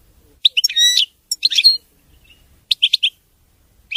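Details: European goldfinch, praised as king of songbirds, singing: clusters of quick liquid twitters and buzzy chattering notes in short bursts, a brief pause, then a run of three crisp chirps.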